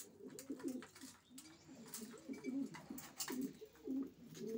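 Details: Racing pigeons murmuring with soft, low, wavering coos in overlapping phrases, accompanied by scattered clicks and shuffling sounds in an enclosed space.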